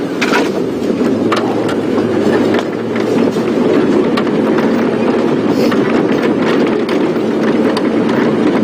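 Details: Steady vehicle rumble and wind noise with scattered clicks and knocks, no animal voice standing out.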